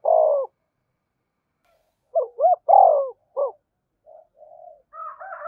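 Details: Spotted dove urging coo used to trigger singing: a falling coo, then a two-note phrase with long coo and extra short note, followed by fainter, higher warbling notes.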